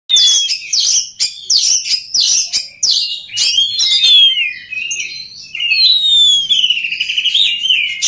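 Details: Oriental magpie-robin song played to train other magpie-robins to sing readily: a varied run of bright whistled phrases and sharp slurred notes, ending with long, clear sweeping whistles that slide downward.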